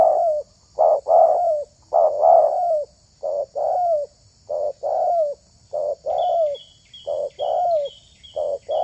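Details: Spotted dove used to lure wild doves, giving low two-note coos, a short note then a longer falling one, repeated about once a second; a faint high bird call joins near the end.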